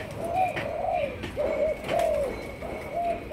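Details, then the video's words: Young Malaysian-strain spotted dove, a kept bird being trained as a decoy, giving a run of soft, low cooing notes, each gently arched, about five or six in quick succession, with faint clicks and room noise behind. "Cu Malaysia. Chim tơ nổi, tập lên mồi"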